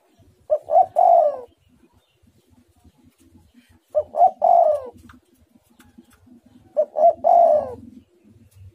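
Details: Spotted dove singing its tight, pressing coo: a low three-part cooing phrase with two short notes and a longer falling note, repeated about every three seconds, with faint low rustling between phrases.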